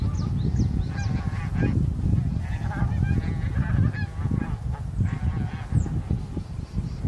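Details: Bean geese, including a leucistic bird, seen on 9 March 2021 as winter visitors, recorded on a Sony A7M3. Repeated nasal, harmonic honks from several geese rise over a constant loud low rumble.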